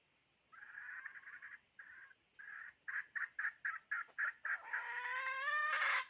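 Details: Hen, a decoy chicken, calling: a run of short clucks speeding up to about four per second, then a long harmonic rising squawk at the end; faint high chirps behind.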